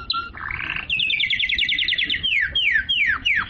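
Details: Canary song meant to stimulate females to mate and to teach young birds. Opens with low plain whistles, breaks into a fast, even, high trill, then ends with several loud downward-swooping notes.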